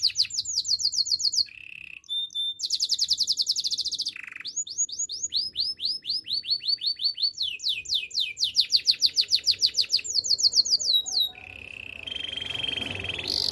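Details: Long canary training song of changing tours: high rapid trills, bursts of sweeping slurred notes repeated several times a second, and short, low buzzy rolls between them.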